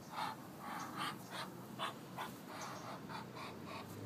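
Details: Male Muscovy duck making breathy hisses likened to a heavy-breathing prank call: soft airy puffs, a little over one per second, rough and toneless, fading toward the end.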